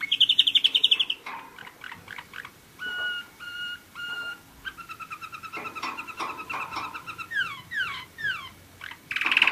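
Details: Quieter passage from a singing one-year-old German Roller-split canary: a short bright trill, spaced level whistled tones, varied chattering notes and quick descending sweeps, over a background hiss.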